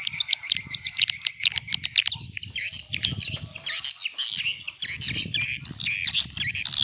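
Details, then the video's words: Swiftlets heard in a vintage-style attracting call: continuous dense, high, buzzy chattering with rapid ticking notes mixed in, forming a busy chorus, with a soft low rumble underneath. "Suara Panggil Walet SUPER JADUL"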